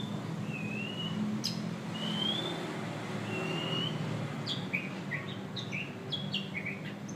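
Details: White-rumped shama giving three long sliding whistles spaced about a second apart, then a quick burst of short, high chattering notes over a steady background rumble.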